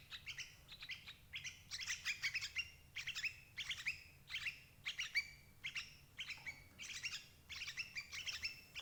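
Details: Sooty-headed bulbul calls used to lure adult birds into traps: steady, repeated clusters of bright, chattering, bubbly notes, about one group per second.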